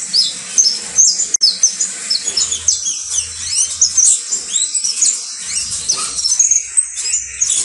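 A saffron finch sings a fast, unbroken stream of high, bright chirps and twittering slurred notes; faint low hum underneath.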